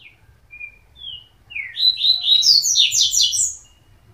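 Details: Coleiro gives several drawn-out introductory whistles before launching into a fast, high, warbling run of chirped notes of about two seconds.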